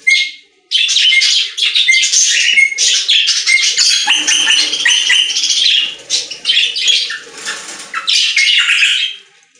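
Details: Budgerigars singing in a pet store: dense, fast chirping and warbling chatter, many birds overlapping, with brief whistled notes; a short silence at the start, then near-continuous twittering for the rest.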